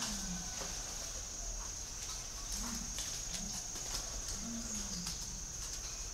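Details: Calling spotted dove, giving low mellow coos in irregular groups across the recording. A constant shrill electronic tone sits above the bird, with faint clicks and noise.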